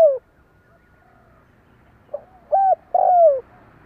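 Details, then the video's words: Decoy spotted dove from Vietnam, a captive bird used to draw in wild doves. It gives a faint falling coo, a pause, then a soft note and two strong hollow coos, the last drawn out and dropping, over light background hiss. "Cu gáy mồi cây gáy gọi kích bổi nhanh nổi hiệu quả"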